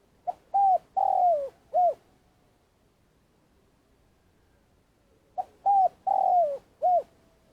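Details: A decoy spotted dove in Vietnam gives a long calling song: two phrases of soft, hollow coos, each a few short notes around one longer drawn-out coo, about five seconds apart.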